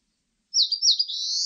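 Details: Eastern crowned warbler singing a short high phrase, two rapid down-slurred whistles followed by a sustained, slightly rising buzzy note; no other sounds present.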